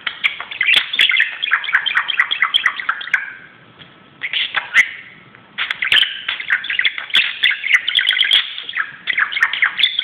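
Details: Budgerigar playing excitedly on a closet, pouring out loud chattering warble of rapid scratchy chirps and clicks, pausing twice for about a second before resuming, with sharp tapping clicks mixed in.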